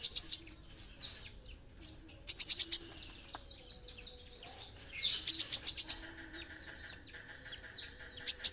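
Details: Gacor olive-backed sunbird, or kolibri ninja, in masteran material: dense clusters of rapid, high, glittering ticks and slurred chirps repeat every second or two, with a steady mechanical-sounding tone in the background near the end.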